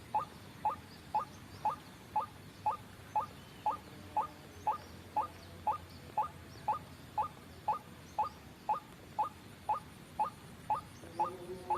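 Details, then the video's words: Lure recording of a white-breasted waterhen for trapping birds: a long, very even run of short upward-flicking notes, roughly two per second, with a faint steady hum behind. "suara pikat burung ruak ruak"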